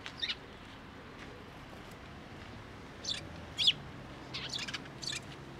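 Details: Sparrows coming to a fence post at a Tenmangu shrine to be fed, 21 April 2023; a few short, high chirps in scattered groups, faint over a steady low background hiss.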